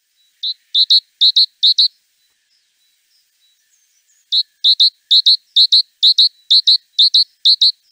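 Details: Great tit calling in short phrases of clear, ringing double notes, a burst of about four pairs, a pause of over two seconds, then a longer steady series of paired pinging notes.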